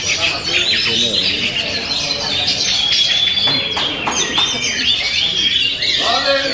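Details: Oriental magpie-robin (kacer) singing a dense, fast run of varied whistles and sharp chirps in the upper register, with rapid changes of pitch and a downward slur near the end, over steady background hiss.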